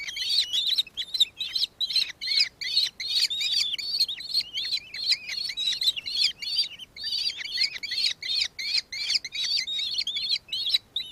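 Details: A Nankeen Kestrel in Victoria, Australia, on 4 December 2024 gives shrill, high-pitched chattering notes, two or three per second, with one brief pause midway.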